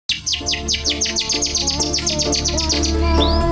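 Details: Long-tailed shrike singing a rapid series of repeated downward-sweeping high notes, about two to three per second, over a steady low hum and faint tonal background sounds.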